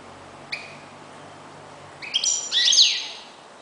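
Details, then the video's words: A European goldfinch used as a decoy bird gives a brief liquid note, then a bright tinkling burst of high, rapid twittering phrases; a faint low hum underlies the start. "jilguero.uno de mis reclamos"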